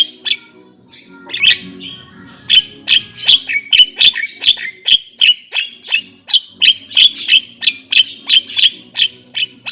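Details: Javan myna song made of rapid, loud, metallic chips repeated almost three times a second, broken by a few harsh, rasping chatters near the start.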